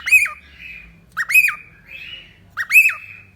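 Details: A cockatiel squawks three times, each a loud rough note that rises and drops, trailed by a softer buzzy tail, with a low hum underneath.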